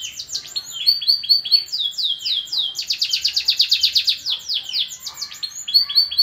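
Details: Canary in new feathers, a kept songbird from Klaten, pouring out a bright rapid song: fast rolling trills, repeated down-slurred high notes and quick buzzy bursts, loud and nearly unbroken throughout.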